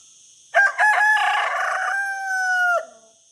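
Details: A rooster crows after a quiet start, with two short opening bursts, then a sustained, strained call that slowly falls in pitch and ends sharply after about two seconds.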